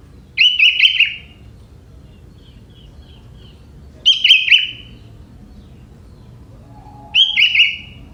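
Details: Young forest sooty-headed bulbul singing phrases borrowed from prenjak. Three similar whistled phrases, each a bright note breaking into a quick stuttering twitter, repeat roughly every three to four seconds. A faint low whistle sounds near the end.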